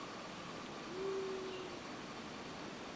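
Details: Male White-throated Ground Dove cooing from a Macaranga tree on Rota, Northern Mariana Islands, 25 November 2017: a single low, smooth, steady hooting coo lasting about half a second, over faint background hiss.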